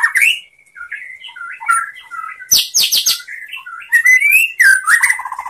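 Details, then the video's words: White-rumped shama song used to teach other shamas: varied whistled phrases and slurs, with sudden bursts of harsh high chatter. "SUARA MURAI BATU bikin GACOR BONGKAR ISIAN ¦ MASTERAN MURAI ¦ SHAMA BIRD"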